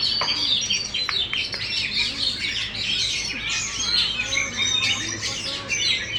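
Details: Oriental magpie-robin kept in a cage and raised as a contest champion, singing with its tail fully spread: an unbroken stream of bright chirps, trills and sweeping whistles, busy and high.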